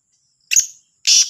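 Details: Morning call of a Black francolin labelled Sahiwal, 18/09/22: a short rasping note, a half-second pause, then a louder, broader harsh burst.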